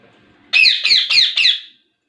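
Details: Four loud, harsh squawks from a ringneck parrot in quick succession, evenly spaced over about a second.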